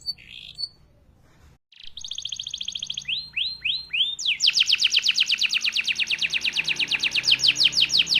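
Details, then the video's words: Canary (kenari) singing long rolling trills: a brief chirp, then a buzzy high roll, several swooping falling notes and a long loud pulsed trill repeated about every tenth of a second. "KENARI EXTRA JOSS SIAP JADI PENJANTAN ROLL PANJANG ATAS BAWAH"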